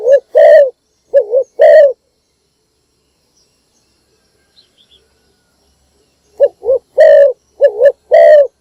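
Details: Spotted dove used as a decoy for wild doves, calling in the morning: two loud wavering-then-long coo phrases, a silent pause of about four seconds, then two more phrases.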